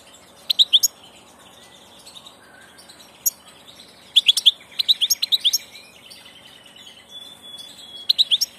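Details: Passage European goldfinch delivering liquid twittering phrases of rapid high chirps, with brief clusters at irregular intervals and a short thin whistled note between phrases.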